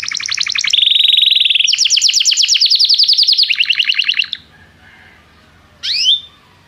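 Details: Canary in song training, calling another canary to sing: several fast trilled rolls at varied pitch for four seconds, then quiet and one sharp chirp.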